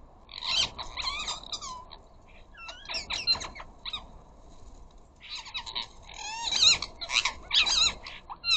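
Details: Flock of ring-necked parakeets at a bird feeder, chattering, arguing and squawking: bursts of rapid overlapping harsh notes and rising whistled squeals, about one burst a second, with a lull mid-way before the noise builds again.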